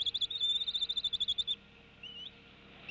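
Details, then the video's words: Decorah nest, April 2016, a female bald eagle tea kettles while the male lands: a rapid stuttering chatter of about fifteen shrill pulses in a second and a half, followed by two short upward-sliding squeals. "Dad ignores Mom's tea kettling"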